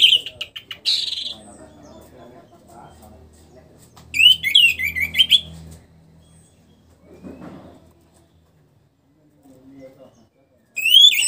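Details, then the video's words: Caged orange-headed thrush after its moult, now singing freely. It gives bright whistled phrases with sweeping, warbled notes in three bursts: near the start, around four to five seconds, and again at the end, with quiet gaps between. "memancing suara anis merah setelah ngurag"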